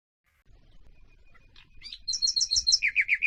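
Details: Nightingale song prepared as tutor material for canaries and their hybrids: a faint thin whistle, then a sharp upslurred note and a fast run of high, repeated chirps that drop into a lower, rhythmic series of rich notes.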